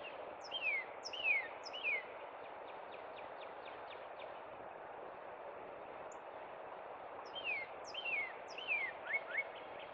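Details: Northern cardinal at Cub Run singing in spring: three downward-sliding whistles, a pause with faint notes, then three more slurred whistles and two short clipped notes, over a steady noisy background.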